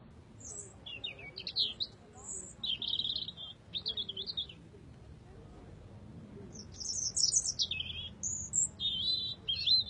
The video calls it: Singing robin